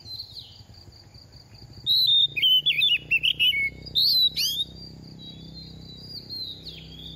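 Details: Moulting oriental magpie-robin in its second year sings to stimulate song: after a quiet start, a burst of rapid, jerky warbled whistles, then two sharper rising notes, before quiet returns with a faint steady high whine.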